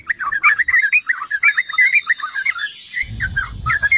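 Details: Yellow-vented bulbul song used as a lure to make other bulbuls sing aggressively: fast bubbly chattering phrases of tumbling notes, with a low rumble of background noise in the last second.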